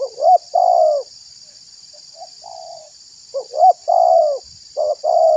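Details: Spotted dove call for luring wild doves and provoking other doves: paired rising notes and long mellow coos, with a softer, quieter coo in a pause midway, against a steady high hiss.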